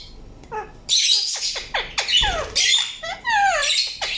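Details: Indian ringneck parakeet calling with a run of loud, harsh, broadband squawks and screeches, several with sharp downward-sweeping tones, coming in quick bursts about every half second after a quiet start.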